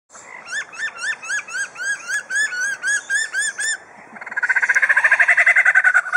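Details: Captive superb lyrebird at Adelaide Zoo, Australia, reeling off mimicked sounds: a run of about fifteen repeated arched whistled notes, then a rapid burst of harsh, buzzy pulses like a power tool.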